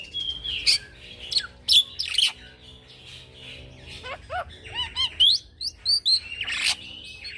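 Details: Young black-winged myna singing in the continuous 'gacor ngeroll' style, used as a lure and model for training birds; loud scattered whistles, sharp chirps and rising slurred notes in quick irregular bursts, with a faint low hum behind.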